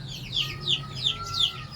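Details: Aseel chicken giving clear, high descending peeps, about three each second in an even rhythm. A steady faint tone and a low hum run beneath them.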